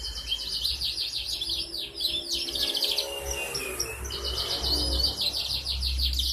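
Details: Four-month-old canary singing energetically on 11 August 2021, a young bird learning continuous song and meant to coax other canaries into singing; fast high trills and rattling chirp series run almost without pause over a low rumble.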